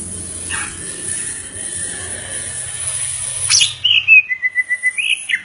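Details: Greater green leafbird, the cucak ijo or murai daun, starts after a noisy background with a sharp note, then a fast string of about eight clear whistled pulses at steady pitch.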